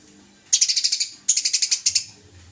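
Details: Eurasian tree sparrow in fighting mode, from a masteran tutoring selection of small songbirds picked by judges: two quick volleys of piercing high chirps, roughly eight notes each, ending in a faint low hum.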